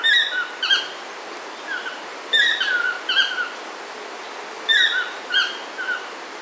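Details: Yellow-throated toucans calling at Chilamate Eco-Retreat, Sarapiqui, Costa Rica, on 24 April 2022: loud, harmonic yelping phrases of three or four notes, each dropping in pitch, repeated about every two seconds over quiet background hiss.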